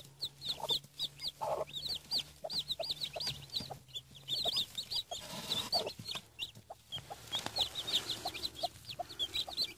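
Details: Seven newly hatched Denizli chicken chicks, kept under a hen in Rize, Turkey: a steady stream of high, arched peeps, many chicks calling at once in quick irregular runs, with an occasional low cluck and some handling noise.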